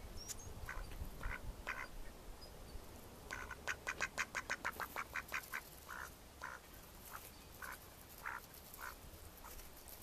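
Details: Mallards in May 2014 giving spaced single quacks, then a fast burst of about a dozen clipped quacks in quick succession, easing back to slower separate quacks with steady low rumble behind.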